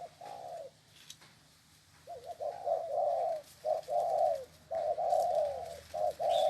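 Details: Spotted dove tethered by the leg, cooing vigorously: after a single coo and a pause, a rapid series of loud low coo phrases mixing short notes and longer wavering coos.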